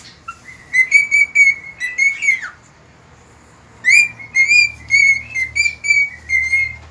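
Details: Cockatiel singing at dawn, recorded 3 September 2019: two runs of clear, even whistled notes, each a series of short tones, with a silent gap of over a second between them and a low background hum.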